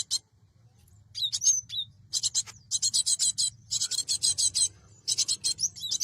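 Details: Cinereous tit, recording meant to lure birds for trapping: a few sharp whistled slurs, then long strings of rapid, scratchy buzzing notes repeated in quick succession.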